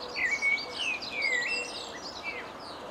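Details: Common blackbird singing at a distance, recorded with a zoom camera: a flowing run of clear whistled notes, rising and falling, with higher twittering above.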